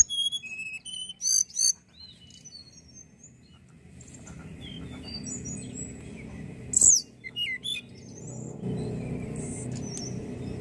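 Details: Tledekan bird calls: high, thin chirps and short whistled notes in scattered bursts, with a louder cluster near the start and another about two-thirds through, over a low steady hum.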